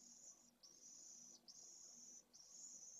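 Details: A Pallid swift chick in a nest at a school colony in Jerez de la Frontera, Spain, begs while its mother feeds it, shortly before it fledges from a second brood. It gives a thin, very high, insect-like buzz in half- to one-second bursts with brief breaks.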